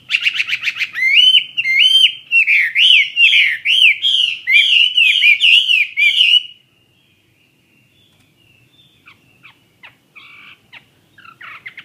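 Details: Fighting-type Chinese hwamei in captivity delivers a rattling start and then six seconds of loud, repeated, looping whistles at an even pace. Near-silence follows, with only faint, scattered notes.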